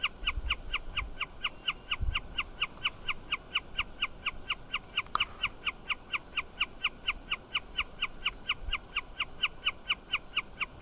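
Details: A Wilson's snipe calling from a fencepost, continuously for a long time, repeats a sharp, mid-pitched note in a fast, even series without pause, over a low rumble of wind and one sudden click.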